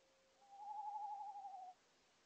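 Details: At night, an owl perched in a tree calls to a second owl. A single sustained, quavering trill lasts over a second and stays level in pitch against a quiet background.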